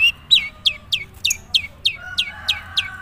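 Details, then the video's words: Long-tailed shrike from Madura giving its natural song with few borrowed phrases: evenly spaced sharp descending chirps, roughly three per second, fairly high and clear over quiet background. "suara asli cendet madura"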